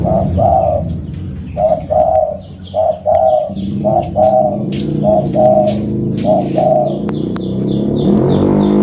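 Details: Local zebra dove used as a lure, recorded at Reului in Pidie, Aceh. It gives a steady run of short, rolling two-part coos about every second. Sharp chirps and a rising low rumble sound behind the coos.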